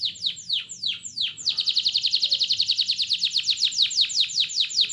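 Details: Canary singing as a trigger for other canaries: slow downward sweeps opening into a long, rapid buzzy trill, then a series of falling strokes speeding up again.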